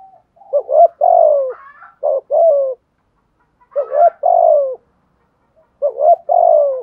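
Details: Spotted dove cooing used to stimulate decoy birds. Three phrases of low, hollow coos, each a short doubled opening note sliding into a drawn-out falling coo. Brief higher chirps sound near the first phrase.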